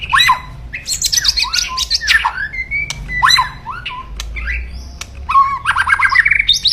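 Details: White-rumped shama kept in captivity, delivering loud, aggressive crackling song to provoke opponents: harsh chattering bursts, steep whistled upslurs and downslurs, short flat tones and rapid stuttering notes in quick alternation.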